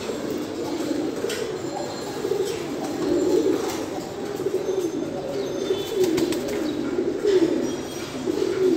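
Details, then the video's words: Mukhi fancy pigeons, a domestic pigeon breed, cooing steadily in low, throaty, rolling waves that rise and fall over and over, with faint clicks and a light background hiss. "Mukhi Pigeons"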